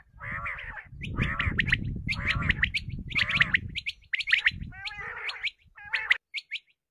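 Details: Common quail lure for hunting: harsh, nasal gargling phrases alternating with clusters of quick, sharp high chirps, over low rumbling noise that fades before the final few isolated notes.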